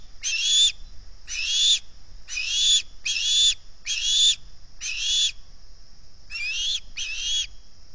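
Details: Hungry osprey begging at dawn on 11 August 2020 at the Salt Point nest, recorded by a camera microphone: loud, piercing whistled notes, about one each second, some paired, with a gap before a final two softer calls.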